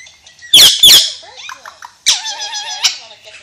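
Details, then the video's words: Alexandrine parakeet giving two piercing squawks, then a few soft chattered notes and a drawn-out, voice-like mimicked phrase with a steady tone. "Pakistani Ringneck Parrot Talking"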